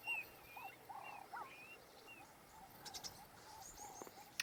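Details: A male Klaas's cuckoo sitting on top of an acacia tree at Ol Pejeta, Kenya gives its territorial call: soft, high whistled notes in quick succession, with lower warbling notes and faint chatter of other birds behind.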